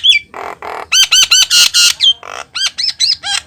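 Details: Javan myna in energetic lure song for trapping mynas: ringing, harmonic-rich whistled notes bending downward in quick succession, interspersed with hoarse grating blasts.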